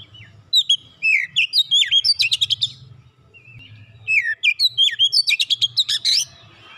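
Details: Oriental magpie-robin song used to make a silent bird start singing, two similar bouts each opening with sweet slurred whistles and building into fast rattling chatter, separated by a brief pause.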